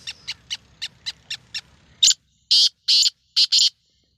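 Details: Captive black francolin (kala teetar), a beginner calling bird on its first try: a faint run of seven quick, evenly spaced clicks, then five loud harsh grating notes, the first short and the rest longer, with a brief gap before the last pair.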